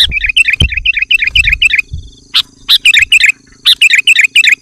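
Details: Male sooty-headed bulbul (kutilang) calling to a rival in the afternoon: rapid runs of bubbly, chirping notes repeated in quick succession, broken by sharp clicks and low thumps.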